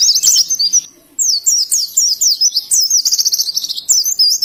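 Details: White-eye in Indonesia delivering ngalas style song, sharp high zigzag chirps after a short pause, then a rapid buzzy trill and bright warbled phrases.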